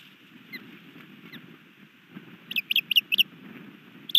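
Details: Osprey at a nest in Hellgate Canyon, Missoula, Montana, on 3 May 2020 at midafternoon, as a new male lands and tries to mate with the resident female; four quick high sharp chirps in a row, then one more, over steady low background hum.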